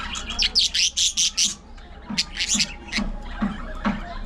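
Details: Budgerigars chirping in an aviary colony, a chattering flock of bright, scratchy chirps and squawks in quick bursts, with soft low thumps in the background.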